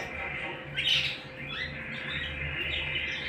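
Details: Canary singing at home: a loud chirped note, then buzzy rising sweeps leading into a sustained high trill over a faint hum.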